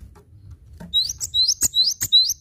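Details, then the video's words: Cinereous tit in full song on a tutoring recording: a brisk series of high, piercing upslurred whistles, each with a short buzzy flourish, repeating about every quarter second, with faint low room hum. "Masteran Gelatik Batu Gacor"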